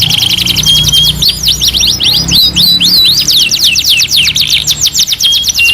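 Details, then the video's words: Canary singing in a two-in-one training recording: a short level whistle, then swooping crisscross notes and a fast run of repeated downward-sweeping trill notes. "MASTERAN KENARI 2 IN 1 | CANARY SINGING"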